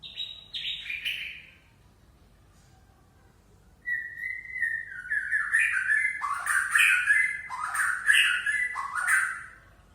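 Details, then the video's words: A white-rumped shama (murai Aceh) gives a couple of descending whistles, falls silent, then launches into a long, full, varied song of rising and falling fluty phrases. "Murai Aceh"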